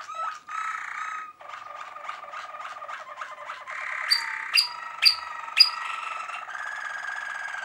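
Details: Waterslager (Malinois) canary singing in 2023: a continuous flow of mid-pitched rolling trills and bubbling water-like notes that change tempo, with four sharp bright accents near the end before a steady trill.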